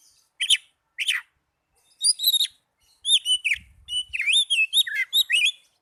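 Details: Oriental magpie-robin song for stimulating reluctant caged birds and tutoring; two sharp opening chirps, then a fast, varied stream of looping, warbled whistles in rapid succession, with a faint low thump once.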